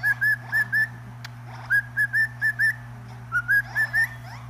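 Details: Singing cockatiel giving three bursts of short, evenly pitched whistled notes, four to six per burst, separated by pauses with a click, over a steady low electrical hum.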